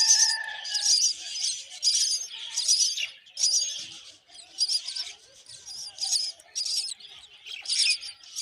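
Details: Myna chicks calling hungrily as the mother brings termites: loud, rasping, high-pitched bursts repeated roughly once a second, irregular in timing, with a brief lower note at the start.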